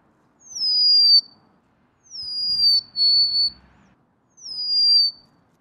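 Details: Golden-crowned sparrow singing clear, high whistled notes, each sliding downward and then holding steady. The phrases repeat about every two seconds, and one phrase adds a second, lower whistle. The background is quiet.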